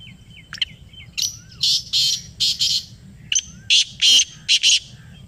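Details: Black francolin (kala teetar) in Pakistan calling in answer to a played call: loud, harsh, grating bursts in two phrases of about five notes each, preceded by a faint thin whistle with soft ticking notes.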